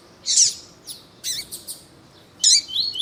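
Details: Male double-collared seedeater of the tui tui song style with a calling female, captive; three separate high twittering bursts with brief thin notes between, quiet background.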